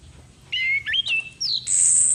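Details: Female orange-headed thrush lure call: a clear whistled note that dips, steps up and levels, then a rising phrase and a sustained very high whistle, over faint low hum.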